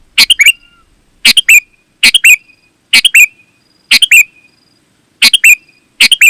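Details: Sooty-headed bulbul in energetic full song, offered as a lure to draw wild bulbuls from the forest and a model for caged birds; seven quick chirpy phrases of two or three notes, about one per second, close and clear.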